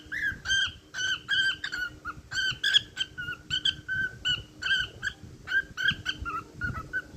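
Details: Cockatiel singing a busy whistled tune, rapid run of clear whistled notes jumping between two pitch levels, almost continuous for several seconds with a steady background hum.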